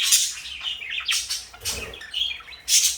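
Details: Pet parakeets, a blue bird and a light yellow bird, make a few sharp high chirps and scratchy notes, a loud squeak opening and closing the short stretch.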